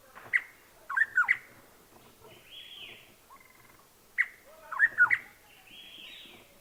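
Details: Rusty-cheeked scimitar babbler foraging in Himachal Pradesh, India, gives two bursts of loud, clear, slurred whistled notes about four seconds apart, with softer chirps from other birds behind.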